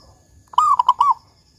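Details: Single phrase from a lively local zebra dove with a big 'kung' voice, kept as a lure for doves: a drawn, slightly falling coo followed by two short notes and a final rounded coo.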